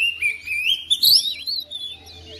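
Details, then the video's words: Home-kept oriental magpie-robin answering a rival singer with a short, bright whistled phrase that climbs and peaks in a loud sharp flourish, then fades into softer warbles. "KACER RUMAHAN RESPON NYAUT IKUT GACOR"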